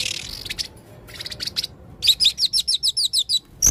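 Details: Male blue-crowned hanging parrot in full voice with unusual sounds: soft high twitters, then a rhythmic series of about ten sharp, shrill, slightly upslurred chirps, ending in a loud squeak.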